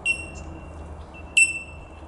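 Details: Bell miner at Dandenong Valley Wetland, Victoria, Australia, on 17 April 2021, giving two clear bell-like "tink" notes about 1.3 seconds apart over a steady high ringing from more birds in the distance.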